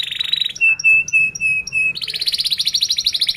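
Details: Canary singing a close, fast roll to coach young birds: a high buzzy trill, several clear flat whistled notes, then a rapid pulsing roll repeated about every tenth of a second.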